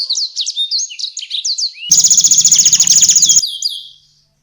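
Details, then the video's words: Canary singing to tutor competition songbirds, with konin and blackthroat phrases: a rapid run of high whistled swoops, then a loud pulsed buzzing rattle for about a second and a half, fading out with soft twitters. "KENARI GACOR UNTUK MASTERAN BURUNG JAWARA| full tembakan konin dan balckthroat"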